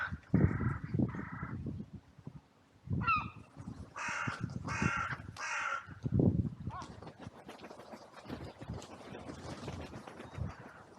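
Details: Crows in a sunny cemetery, rushing in after two crows fought: a few harsh caws, then a burst of three louder, higher, strained caws, amid low thuds, rustling and background noise.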